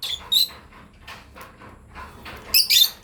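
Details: Lovebirds from a breeding pair making sharp, scratchy high chirps: two quick bursts at the start, softer twittering in the middle, then a louder double chirp at the end.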